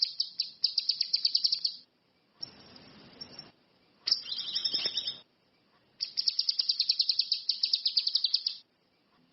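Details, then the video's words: Orange-headed thrush giving repeated bursts of rapid, high, rattling trills, each a few seconds long, broken by short gaps and patches of hissing noise. "SUWARA BURUNG CUCAK KINOI/ RANTI MAS, GACOR"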